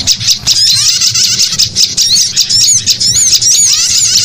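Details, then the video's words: Prinia lure calls: loud, continuous high-pitched chatter of fast buzzy notes and sharp rising-falling whistled slurs, packed without pause, several voices overlapping, low rumble underneath. "Suara pikat terjitu video rilis burung"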